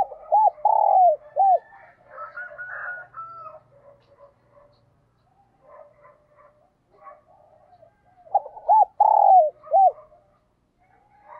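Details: Morning cooing of a decoy spotted dove calling wild doves. A quick series of loud arched coos opens and returns near the end, separated by quieter, scattered rough notes.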